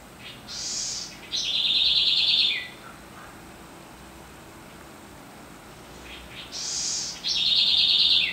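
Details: Southern house wren (Troglodytes musculus), also called Corruíra or Cambaxirra, singing two strong phrases about six seconds apart: each opens with a bright, hissy high burst, then a rapid vibrant trill that slides downward at the end. Quiet between phrases.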